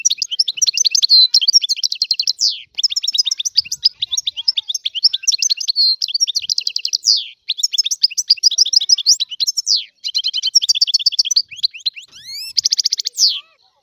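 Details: Long unbroken European goldfinch song from the Algerian type: tumbling high twitters, rapid trills, rising slides and buzzy rattles in dense phrases with only brief pauses.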